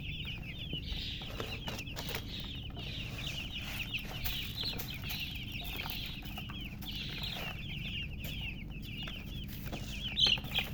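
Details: Loud chirping from many just-born chicks: a continuous chorus of rapid, high, downward-slurred notes, over steady low machine-like noise.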